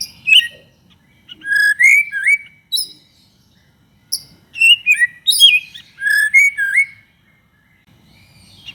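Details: White-rumped shama singing energetic 'gacor' phrases meant to provoke other shamas: bursts of sharp high notes mixed with sweet, swooping whistles in two main phrases separated by short silences.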